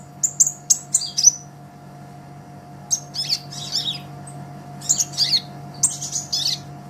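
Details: Olive-backed sunbird, recorded as a tutoring track for songbirds: a few piercing high chirps, a pause, then scattered squeaky, wavering notes, with a faint steady hum in the background.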